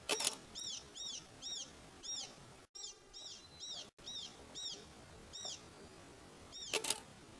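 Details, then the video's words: Inland thornbill recorded while bird watching in Australia: a series of short, high, arched chirps repeated roughly every half second, with two brief gaps and faint background noise. "Inland Thornbill"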